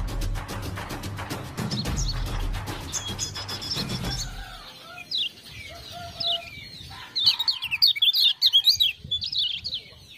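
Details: Lemon-bellied white-eye giving quick, high, thin chirps and twittering phrases in bursts, used as a lure sound to prompt other birds to sing, after a few seconds of loud rhythmic music.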